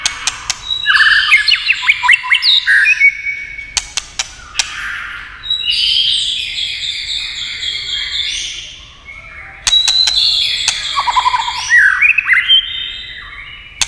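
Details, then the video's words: White-rumped shama singing after being stimulated by tail-tapping clicks: varied loud phrases of whistles, slurred notes and chattering trills, broken by sharp click-like taps and brief pauses. "chòe lửa tạch đập đuôi cạch cạch kích thích chòe lửa hót"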